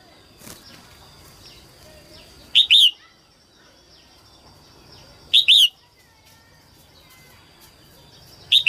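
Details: Female red-whiskered bulbul (Pycnonotus jocosus) singing early in the 2022 season to stimulate males: short, bright two-note whistled phrases about every three seconds over a steady thin high-pitched hum.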